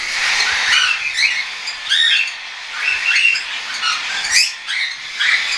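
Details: Young tame cockatiels, 10 September 2012, some eating on their own and others still fed, flying around: repeated grating squawks with rising and falling contours, several birds calling over one another, loudness pulsing.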